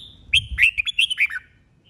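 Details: Competitive 'bọng' song of a mature wild-caught red-whiskered bulbul: one rapid, loud phrase of about seven chirpy, bouncing whistled notes lasting just over a second, with a little low rumble.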